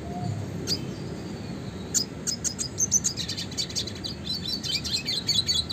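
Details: Classic red siskin song for training contest songbirds: after a few isolated high notes, a rapid, irregular series of thin chirps and buzzes runs steadily for the last four seconds.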